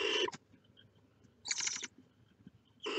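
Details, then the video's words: Barn owl chicks sticking their heads out of the nest give rasping, noisy hisses, three bursts in three seconds, the middle one slightly broken and softer, over quiet background rustle. "Los polluelos de lechuza sacan la cabeza fuera del nido."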